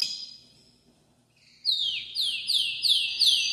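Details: Hard-singing Spanish canary: after a quiet, thin opening, a loud series of sharp descending sweeps repeated about three times per second.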